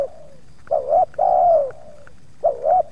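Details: Mellow coos from a spotted dove in a yard with wild doves near: a falling tail, a full two-note-plus-long-coo phrase, then the start of another.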